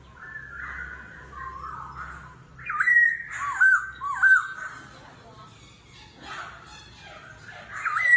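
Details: Laughingthrush singing in a forest-voice competitive style, changing voice continuously, in the style known as kéo thuốc lào: bright slurred whistles rising and falling, loudest in a burst of three notes midway, with quieter warbles after.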